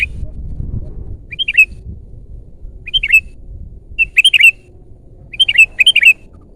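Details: Loud, lively 'gacor' song of a sooty-headed bulbul, meant as a lure and tutor for captive birds: bright chirpy whistled phrases of two to four quick rising-and-falling notes, repeated about every one and a half seconds, with faint low hum behind.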